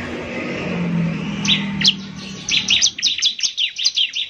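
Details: Bar-winged prinia lure song from a semi-trained bird: after a noisy low rumble, a quick run of high, sharp chirping notes in a rapid series.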